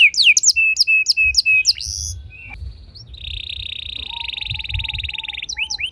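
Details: Canary singing a long roll to stir other canaries: quick sharp high notes, then a sustained steady buzzing trill with a lower faint whistle beneath, ending in fresh rapid sweeps.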